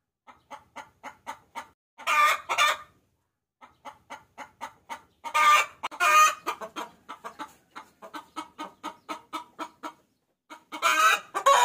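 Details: Hen chicken calling to a rooster, a lure sound used by bird-luring hobbyists: quick series of short clucks, broken by loud, harsh squawking bursts near the start, the middle and the end.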